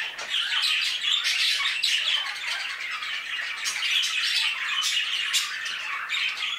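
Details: Steady, dense chorus of high twittering and squawky chatter from many budgerigars in an aviary, running evenly throughout.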